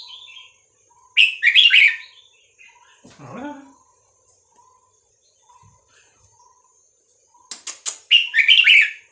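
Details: Vietnamese red-whiskered bulbul song played to teach young birds and excite them: two bubbly, warbled phrases, one near the start and one at the end, with faint soft notes and a brief rustle between them.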